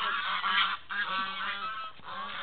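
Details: Geese calling noisily with a run of rough, nasal honks of uneven length, loud at first and then fading slightly, with short pauses between calls.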